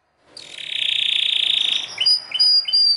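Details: Belgian canary singing strongly: a loud buzzy rattling trill held for over a second, then short clear whistled notes repeated about three times.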